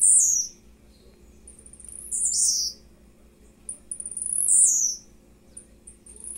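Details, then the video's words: Blue-black grassquit, a captive bird recorded mid-morning, utters high buzzy descending phrases roughly every two seconds, some trailing thin ticks, over a constant low hum. "TIZIU LUXO TOP ASSIM COMO VC NUNCA SHOW SEUS CANTOS"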